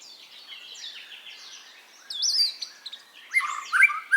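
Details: White-rumped shama song used as masteran to stimulate caged birds to sing: soft faint twittering phrases, then louder whistled notes sweeping up and down and sharp chirps near the end.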